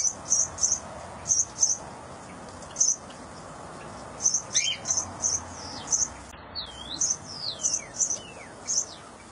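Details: Baby cockatiel being fed by its mother: rapid high, thin chirps in short pairs and runs, with a few sweeping, downslurred whistles near the end, over faint background hiss.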